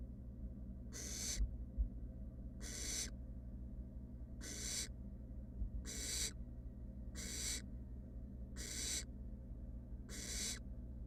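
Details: Wild barn owl nestlings, three together in a research nest box, produce seven rasping, noisy shrieks spaced roughly 1.5 seconds apart against a steady low background drone with a few soft bumps.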